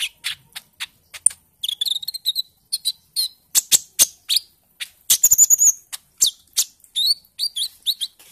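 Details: Bali myna lure recording for encouraging birds to sing, 'ijoan trotol' early stage: rapid chattering chirps and clicks mixed with short whistled phrases, delivered almost continuously.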